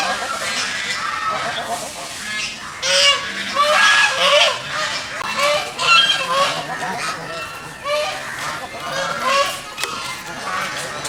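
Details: Geese swimming in a pond make a continuous, irregular chorus of quick nasal honks and cackles, roughly two per second, several birds calling over each other.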